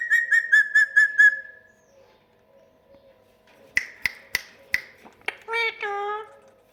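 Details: Pet talking parrot indoors, said to have just bitten its owner: a run of six harsh repeated notes, a pause, then sharp clicks and a few drawn-out harmonic squawks.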